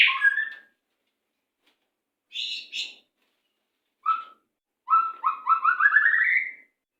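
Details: White-rumped shama song used to train captive birds: separate bursts of varied notes, an opening warble, a buzzy doubled phrase, a short note, then a fast rising series of rapid notes climbing steadily, with silent gaps between.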